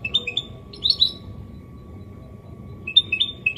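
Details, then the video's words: Goldfinch hybrid (mule) giving clean Málaga copy style song: short bursts of high, clipped chirps and a brief twittered trill, separated by about two seconds of quiet. "Mixto jilguero Limpio canto (copia malaga) Elegante / mule of goldfinch bird singing the best sounds"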